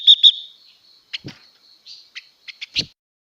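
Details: Female blue-winged leafbird singing to excite males: two loud high chirps, a pause, then a string of short clipped notes.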